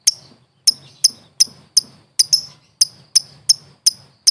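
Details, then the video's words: Lovebird training recording: sharp, clicking high chips repeated about three times a second in an even, ticking rhythm, with a faint low hum behind. "LOVE BIRD SOUNDS"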